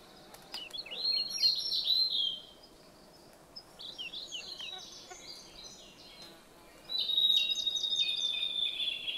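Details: Blue-and-white flycatcher song from the Khingan reserve, Amur region, Far East Russia: varied high whistled phrases with quick slurred notes, a pause with softer distant notes, then a long sustained high whistle ending the clip.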